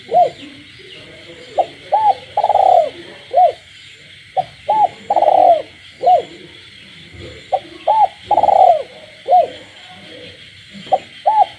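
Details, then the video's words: Night song of a kept spotted dove with frogs calling in the countryside: several phrases over about twelve seconds, each of short hooked coos around a long rolled note, backed by a steady shrill amphibian chorus. "cu gáy trong đêm, cu nuôi avi gáy ban đêm hòa cùng tiếng ếch nhái đậm chất làng quê"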